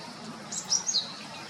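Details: Japanese Tit, a familiar wild bird, giving a brief burst of a few high, thin chirped notes that dip slightly in pitch, over faint outdoor background noise.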